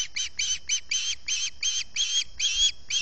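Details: Osprey begging from early morning hunger at the Salt Point nest on August 11, 2020, caught by a nest camera microphone: a fast run of about eleven shrill, squealing chirps in three seconds over a faint low rumble.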